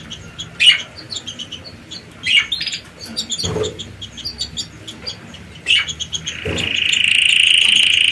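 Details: Nest-building canaries preparing to lay eggs: scattered sharp chirps and short bursts, then a steady, even high trill that carries to the end.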